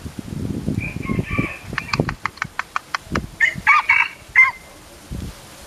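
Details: Philippine junglefowl, one of a pair, gives a few drawn-out nasal notes, then a quick series of sharp clicking clucks, then two or three harsh crowing bursts. Low rustling and bumps run underneath.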